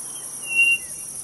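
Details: Quail from the Brazilian Nordeste giving one clear, level whistle of under half a second, steady in pitch with a brief lower trailing note, over a constant high insect hum.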